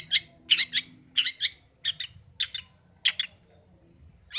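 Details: Kept long-tailed shrike, the father's pet bird, singing vigorously after a return home from the rice fields: harsh, scratchy double and triple notes in short bursts about every half second, with a faint low rumble underneath.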